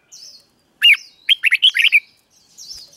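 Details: Red-whiskered bulbul singing the doubled 'berl' song meant for young birds to learn: one sharp note, then a tight string of liquid, rising and falling whistles, with faint high twitters before and after.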